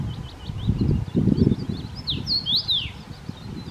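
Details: Common rosefinch (Carpodacus erythrinus) singing in Czechia: a few clear, slurred whistles swooping up and down after thin high chirps, over a strong low rumble of wind or rustling.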